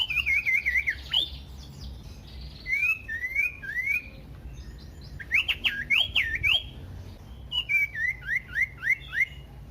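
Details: Varied, loud Common iora song meant to trigger other ioras: repeated bursts of quick wavering and upswept whistles, several phrases of four to six notes separated by short pauses.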